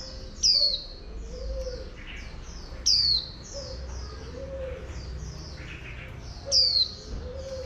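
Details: Oriental white-eye, female, set to stimulate a wild-caught male toward 'líu' song. Three piercing downslurred whistles come a few seconds apart amid continuous faint high chirps, with deep dove coos underneath.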